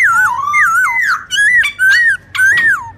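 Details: Black-throated laughingthrush giving loud, clear whistled phrases in its morning forest song, used for training young birds. Each phrase dips and rises, repeated about five times in three seconds, with brief sharp notes between.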